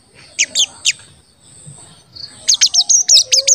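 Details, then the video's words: Sogon, or crested jay, giving lure calls to make other birds call: three spaced high chirps, a brief lull, then a quick string of bright, piercing 'cuit' notes. "Pancingan Sogon Agar Bunyi dan Emosi"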